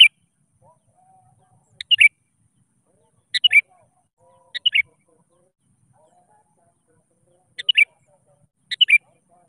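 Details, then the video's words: Sooty-headed bulbul calling out to rivals, used to lure other bulbuls into singing. Short, sharp bright phrases of two or three notes recur every one to three seconds, with silence between them. "Kutilang Gacor Memanggil Lawan"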